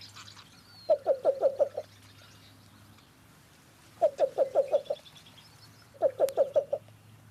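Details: A male Least Bittern gives its cuckoo-like cooing call, heard from a wetland: three soft, low cooing series of five or six quick notes each. This species is far more easily heard than seen. Faint higher calls of other birds sound in the background.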